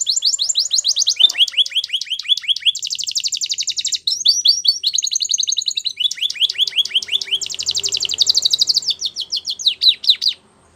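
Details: Singing canary, recorded for training young birds, running through rapid high trills that change every second or two, from sweeping downslurred notes to dense buzzy rolls and back, loud and continuous.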